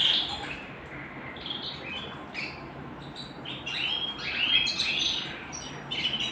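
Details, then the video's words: Pet canary singing indoors, softer and more broken than usual: scattered chirps and short trills building to a brighter warbled run near the end. "canary singing at home"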